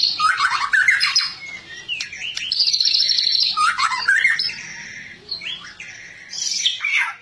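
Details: White-rumped shama singing actively: a rich, varied run of whistled and chattering phrases, rapidly alternating between low fluty notes and higher sweeping trills, with brief pauses between bursts.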